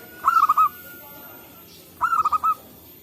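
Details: Forest-dwelling local zebra doves calling back and forth, used as a lure for trapping; two fast, rolling phrases of five or six cooing notes, nearly two seconds apart, clear against a quiet background.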